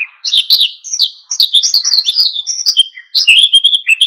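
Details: Oriental white-eye singing vigorously in a wild-style song meant to provoke other birds into singing: a dense, continuous stream of high, thin twittering and chirped notes with quick downslurs, barely pausing.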